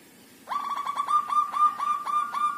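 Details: Local zebra dove from a group cage, in full song after five days there: a quick run of about nine clipped, bubbling notes at a steady mid pitch, starting abruptly and continuing to the end.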